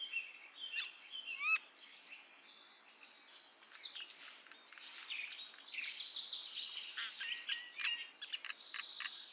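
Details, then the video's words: Common myna (Acridotheres tristis) calling: a busy jumble of harsh chatters, clicks and whistled notes, with a sharp rising whistle early on and dense chattering later. "Common Myna Sound ! Common Myna Song ! Common Myna Call ! Common Myna Vocal ! Common Myna Voice"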